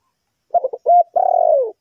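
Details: A single phrase from a spotted dove from Ninh Thuận, kept to lure wild birds into a trap. A few rapid stuttered notes and a short coo run into a long, slightly tremulous downslurred croo.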